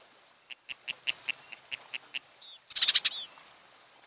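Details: Osprey at its nest on Kent Island, Maryland, June 2018 morning: close, clear, evenly spaced high whistled chips, about five per second, then a loud harsh burst of rapid squealing notes.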